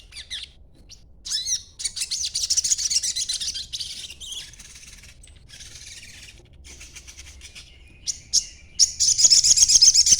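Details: Young sogon in green juvenile plumage chattering as a lure for other birds; long runs of fast, buzzy high twittering, some upswept notes, then a quieter spell before a very rapid trilled burst at the end.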